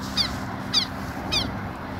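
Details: Southern lapwings guarding a nearby nest, calling insistently: three sharp, scratchy, falling notes in quick succession, evenly spaced, above a low steady hum.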